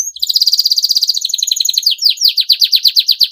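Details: Canary with a long song said to make rival canaries sing along: a fast, bright high trill of evenly spaced notes, slowing into louder, separated downslurred chirps.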